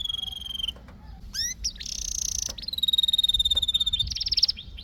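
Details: Canary singing varied phrases: a pure whistle, upward chirps, a harsh buzzy burst, a long steady tone and a quick high rattle at the end.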